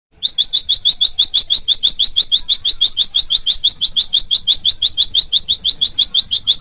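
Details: Bar-winged prinia, known locally as prenjak lumut or ciang-ciang, calling to rivals, used to lure wild birds and to train caged birds; a fast unbroken run of sharp, high chirps, about three per second, throughout.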